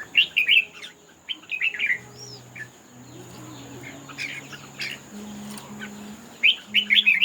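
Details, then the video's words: Red-whiskered bulbul singing in a contest, rapid bubbly whistled phrases at the start and end, sparse notes in between, over a faint constant high hum and soft low background sounds. "Chim Chào Mào Hót Đấu"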